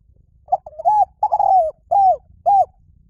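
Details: Spotted dove song in the lio tan style, played to train birds to sing back. A soft cooing phrase: a short note, a rising warble, a long falling coo, then two clipped downturned coos about half a second apart, in a quiet room.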